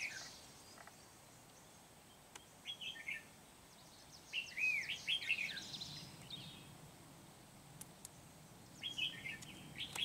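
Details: Red-whiskered bulbul kept as a trapping decoy in Kim Bôi, recorded 8 September 2019, giving lively warbling phrases of rising and falling whistles, clustered mid-clip and again near the end, over background hiss.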